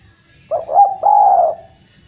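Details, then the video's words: Single coo phrase of a Javan collared dove (derkuku jawa), a vigorous singer used to revive doves that have stopped calling: two quick hooting notes run into a long, even, mellow coo, clean and close. "Derkuku jawa gacor mampu mengatasi derkuku macet bunyi menjadi gacor kembali dan rajin bunyi"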